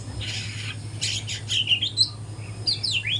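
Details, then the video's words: Young speckled white-rumped shama learning to sing in the morning: scratchy, buzzy bursts and short high whistled notes in quick uneven runs, over a steady low hum. "GACOR kicauan murai batu trotol pagi hari"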